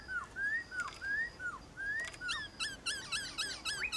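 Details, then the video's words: White-cheeked laughingthrush duelling in song with wild birds in the morning: fairly distant, thin, upslurred whistles over a hissy background, then a faster run of sharp, repeated, bent whistled notes. "Khướu bạc má HÓT ĐẤU với Khướu ngoài thiên nhiên buổi sáng cực hay"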